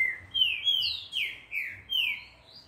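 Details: Green-winged saltator in training at a breeder: a clear phrase of about five drawn-out, slurred whistles, each sliding down then up, steady and loud.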